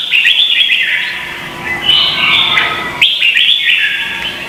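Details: Contest-singing red-whiskered bulbul from Vietnam, lure call for training birds: two bursts of clear whistled phrases with rising and falling notes, separated by a quieter stretch.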